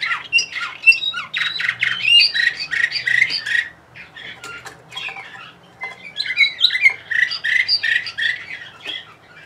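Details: Bulgarian canary of the Orpheus type, bred in Sofia, 2020, singing indoors: rapid bursts of bright chirps, trills and short whistled notes, a pause near the middle, then the phrases resume.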